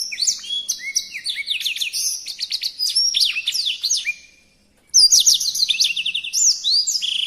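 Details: Songbird in animated song for tutoring cage birds, with rapid high chips, slides and trills in dense phrases, a fading pause, then a loud burst of whistles.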